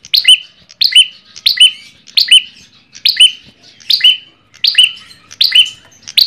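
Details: Ashy tailorbird lure call: a brisk series of around ten loud, piercing chirps, some doubled, each falling slightly in pitch with bright high overtones, paced a little under once per second, background otherwise quiet.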